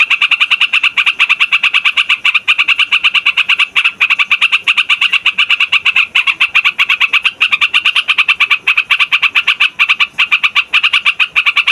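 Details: Long, unbroken rolling song of a noisy trucukan, the yellow-vented bulbul, recorded to lure wild birds and to teach young ones: dense, fast, evenly pulsed chattering notes with barely any pauses throughout.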